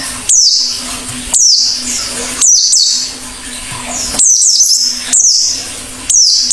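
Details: Oriental white-eye singing actively, a run of sharp high downward chirps about once a second, some doubled, over a faint low hum.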